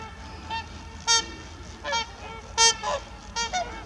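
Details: Trumpeter swans at Heber Springs, Arkansas, give short, nasal, horn-like honks, about seven in four seconds at an uneven pace, over a low background rumble.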